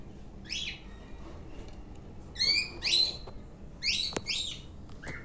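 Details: Pet sun conure, described as always active, giving short harsh chirps and squawks in small bursts, some doubled, scattered over about five seconds with brief pauses; faint room noise behind.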